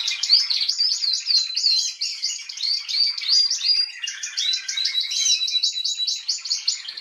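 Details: Female Atlantic canary, 21 January 2022, in a continuous song of quick repeated looping high notes and trills, rolling on without pause.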